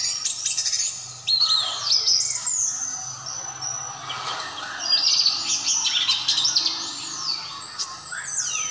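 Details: Orange-headed thrush, a 'teler' singer, delivering a continuous varied song of high whistled phrases, sweeping slurs and chattering trills, loud and unbroken across the whole stretch with no other clear sounds.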